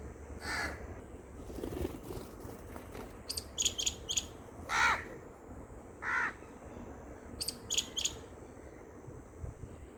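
A crow gives three harsh, widely spaced caws, mixed with a parrot's thin, high, shrill shrieks that come in quick pairs.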